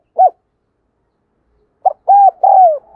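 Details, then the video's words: Lure spotted dove: one isolated coo, a silent gap of over a second, then a phrase of a short note, an arched coo and a long downward-sliding coo, in thúc gù gáy gọi style. "Tiếng Chim Cu Gáy Thúc Gù Gáy Gọi Mới Nhất || Chim Cu Gáy Mồi"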